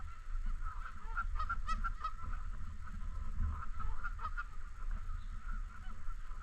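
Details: Canada geese honking in and around a park lake: a flock's overlapping nasal honks, some clustered and stacked with bright overtones near the middle, over a heavy low rumble of wind or handling noise.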